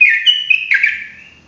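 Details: Sooty-headed bulbul, ropelan song used for tutoring: one short rich whistled phrase, wavering and then sliding down and fading out.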